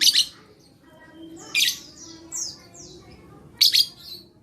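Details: Lovebird song from 11/4/21, used to trigger singing in silent lovebirds: loud, shrill chirp bursts at the start, middle and end, with a string of sliding high whistles between the bursts.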